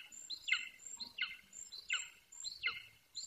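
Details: An 18-week-old juvenile male golden eagle vocalises off and on close to its nest in Bucovina, 9.6.21. Four fainter descending yelps fall in pitch, spaced under a second apart, over a soft high steady whine and quiet background.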